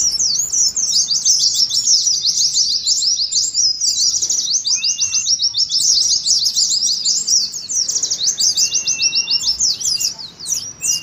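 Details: Oriental white-eye in ngeriwik style, a lure to set other white-eyes singing and a simulation of a bird-singing contest: dense, rapid high chirps and twitters run almost unbroken, with an occasional short lower whistle.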